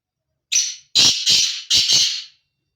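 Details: Rasping five-part call of a male black francolin in breeding season: a shorter lead note, a pause, then two paired bursts of harsh, high, crackling notes, finishing in about two seconds.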